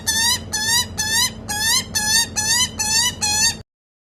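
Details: Rescued young Australian magpie, hand-reared and begging while being fed, gives a string of harsh, nasal, rising squawks, about eight in under four seconds, each strongly harmonic and evenly repeated.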